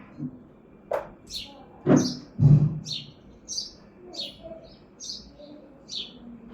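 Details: House sparrow chirping on a balcony in Hazaribagh, India; a quick series of high chirps, almost two per second, following a few loud low thumps at the start.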